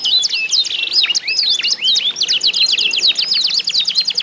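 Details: Trained isian canaries in a vigorous song duel, used to get other canaries singing; varied twisting phrases and a short buzzy burst lead into a long run of rapid descending chips.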